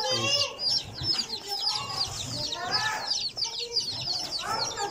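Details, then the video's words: Baby chicks playing, peeping nonstop in a dense chorus of short, high, downward-sliding chirps that overlap almost continuously, with a faint human voice in the background. "Baby chicks playing l baby chicken sounds"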